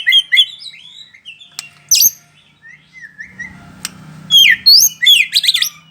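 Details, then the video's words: Bahorok white-rumped shama singing while staying on one spot: clear rising and falling whistles, fast varied phrases and harsh squawky notes, with a brief low rumble partway through. "Murai batu bahorok mbbl bf main satu titik"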